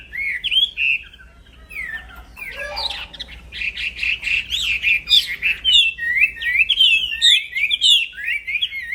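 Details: Singing hard without a break, a black-throated laughingthrush kept for songbird training: opening whistles, a harsh squawking burst, a dense stretch of quick clustered notes, then a string of sharply rising whistled slurs.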